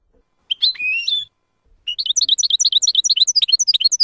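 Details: European goldfinch F.O.C.S.E training song for young birds: a drawn whistled note, a pause, then a fast run of repeated chirping notes, about three per second and quickening.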